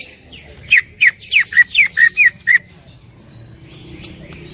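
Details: Greater green leafbird, loud song: seven crisp downward-slurring whistled notes delivered evenly in under two seconds, then near silence with a faint chip.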